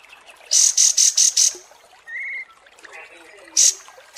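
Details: Kapas tembak, recorded for training competition birds: five loud, very high piercing notes in a quick row, a short mid-pitched whistle, then more isolated shrill high notes.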